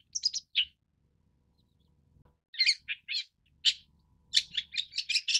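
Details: A few sharp notes from a long-tailed shrike, a silence of about two seconds, then a lively series of harsh chattering notes.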